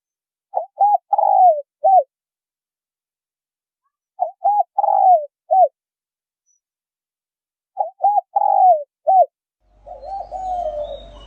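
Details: Male and female spotted doves in a recording made to stir up wild doves: three soft, low cooing phrases of about five notes each, spaced about four seconds apart, with a brief rougher murmur at the end.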